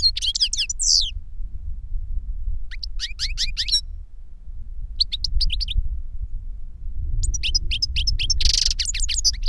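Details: Older goldfinch singing to teach a younger goldfinch: bursts of high, tinkling twittered notes with sharp rising and falling slurs, separated by pauses, with a buzzy rasp near the end, over a steady low rumble.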